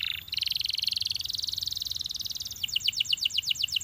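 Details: Belgian canary singing to encourage other canaries to sing: a sustained high, buzzy trill for about two and a half seconds, then a rapid run of sharp, repeated chirping notes, roughly nine per second, until the end.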